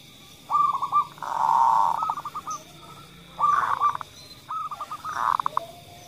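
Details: Local female zebra dove calling lively, answered by a kerot-style call, played to stimulate other doves to call: rolling trilled coos in three bursts, each a short stutter then a sustained burr, with a faint steady hum behind.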